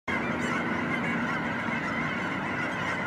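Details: Canada geese at Vancouver, Washington, USA, on November 23, 2010: a dense, unbroken chorus of overlapping nasal honks from a large flock, steady in loudness throughout, with no gaps or other clear sounds.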